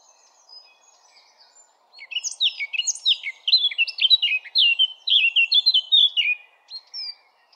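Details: Eurasian blackcap in song, with faint soft twittering that swells into a loud, hurried warble of clear fluty whistles and chattering notes, ending in a single high whistle.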